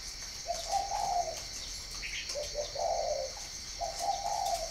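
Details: Spotted dove from northern Vietnam, kept at a breeding farm in Ba Vì, Hanoi, giving low, mellow cooing phrases: three drawn-out coos, each a short note running into a longer one, over a steady high insect hum and a brief chirp.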